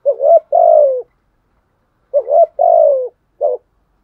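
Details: Two deep two-part coo phrases from a spotted dove decoy meant to provoke other doves, each a brief wavering note and a longer downslurred coo, then a short final note.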